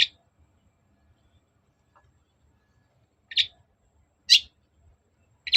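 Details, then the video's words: Long-tailed shrike used to coax an answer: short, buzzy rasping notes, one at the start and three more after a long silent gap, roughly a second apart. "BURUNG CENDET GACOR NGOTOT || pancingan cendet agar nyaut gacor"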